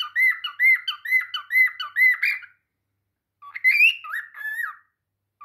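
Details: A cockatiel singing to a mirror gives a quick run of repeated warbling whistles, then a rising, squawky phrase.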